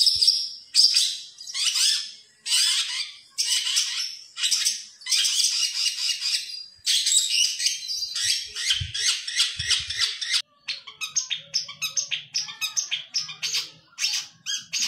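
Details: Kept long-tailed shrike, 2020 contest bird used as a song tutor for other songbirds; loud scratchy chattering bursts about every second, shifting after a break to quicker, thinner chips with faint low background hum.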